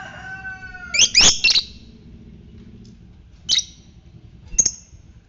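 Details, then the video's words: Fighter-type lovebird in a 'ngetik' lure recording meant to stimulate other lovebirds into ngekek: a dense burst of harsh, high chattering notes around one second, then two short sharp squawks, after a faint steady tone fades out. "Pancingan lovebird ngetik fighter merangsang ngekek"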